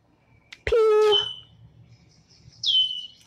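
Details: Red-winged Blackbird alarm whistle, given especially when someone gets too close to the nest in a marsh: two loud, high, piercing whistles sliding downward about a second and a half apart, after a person's short spoken imitation.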